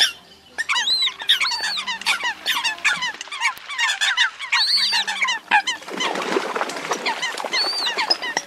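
Eurasian coots give a dense, overlapping chorus of sharp, squeaky, arching notes, several per second, with a faint low steady hum underneath.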